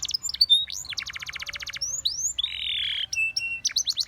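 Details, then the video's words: A Spanish Timbrado canary sings for training canaries: upswept whistles, then an even, fast trill of short pulses, a harsh buzzy band, and a closing flurry of sharp chips. "The Most Powerfull Spanish Timbrado Canary Singing"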